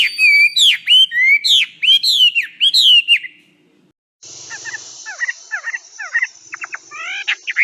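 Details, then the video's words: Chinese hwamei song for tutoring kiacu birds: loud, rich upslurred whistles for three seconds, a brief silence, then a separate stretch of quick repeated chirps over a steady high hiss. "Suara Burung Wambi Gacor Joss untuk Masteran"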